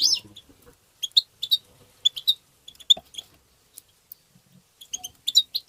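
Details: European goldfinch giving tebteba chirping, used to stimulate other goldfinches: short, sharp, high twittering notes in quick clusters, scattered bursts separated by brief silences, with a louder run of chirps near the end.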